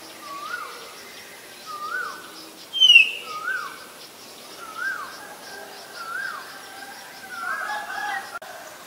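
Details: Black-collared starling from Ubon Ratchathani, Thailand, recorded 17 April 2022: one sharp, loud, falling whistle, while a lower, soft, down-slurred note repeats steadily about every 0.7 seconds in the background.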